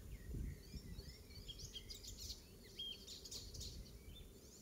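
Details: Icterine warbler, a great imitator of other birds, singing in a Pieterburen garden in mid-May 2022: varied scratchy and whistled phrases tumbling quickly, some sharp high notes, with low rumbling background noise.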